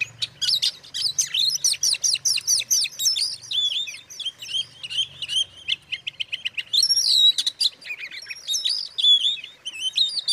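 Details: An Oriental magpie-robin sings loud, rapid phrases of sweet whistles, chirps and scratchy notes, varied and nearly continuous over a faint low hum. The song is used to provoke other magpie-robins into agitation.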